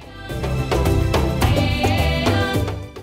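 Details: Rhythmic folk-style music with drums and a melodic instrument fills the whole stretch.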